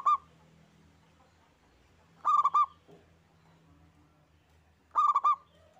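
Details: Single local zebra dove singing actively. It gives three quick, bubbling coo phrases, about every two and a half seconds, in a quiet setting with a faint low hum.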